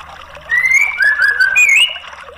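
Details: White-rumped shama singing, meant to stimulate a silent bird: a sequence of loud, fluty whistled slurs, a rising note, a falling one and a final upward sweep, with thin high notes above.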